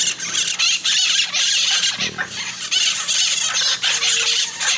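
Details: Loud, hoarse hyacinth macaw screeches, long rasping calls with a short pause near the middle, then more harsh calling.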